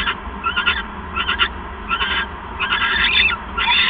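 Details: Owl bonding calls during a visit on the evening of 7 January 2015, on a live camera: short rasping, screechy bursts in irregular groups that build to a longer harsh chatter at the end, over a constant background hum.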